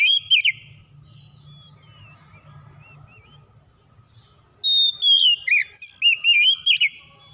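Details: Kacer song used to get a reluctant kacer singing. Oriental magpie-robin loops open the clip, then a long quiet gap with faint low hum. A closing burst of quick, curling whistles follows.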